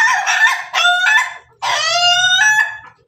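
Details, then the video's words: Crowing from a Pelung Bangkok rooster kept with hens: a broken, chuckling crow split into quick segments, then a longer, steady, ringing crow with a brief catch near its end. "ayam pelung Bangkok makan bersama ayam babon, suara ayam ketawa berkokok"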